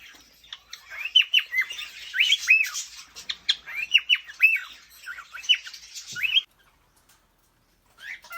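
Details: Male cockatiel whistling while courting a female, kept in an indoor aviary: bright, quick upslurred whistled notes in lively clusters for about six seconds, then a pause and one more rising note.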